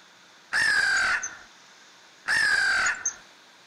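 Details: Wild American crow, one of three that regularly visit a wooded yard called the enchanted forest, alone or together; two loud, harsh, raspy caws, each lasting over half a second, spaced nearly two seconds apart against a quiet background.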